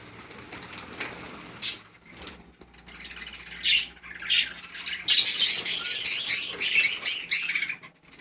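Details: Pet budgerigars, mostly quiet at first, then a burst of high, scratchy chattering and chirps that grows dense in the last three seconds.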